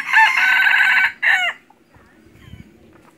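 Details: Decoy red junglefowl for hunting delivers one strong crow: a long, raspy, sustained note that breaks into a short final syllable. Faint low rumbling follows.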